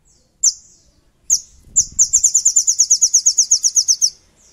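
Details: Sogon (little spiderhunter) calling as a lure to make a rival bird sing. Two sharp high chips lead into a long, fast, even trill of about twenty notes, around five per second.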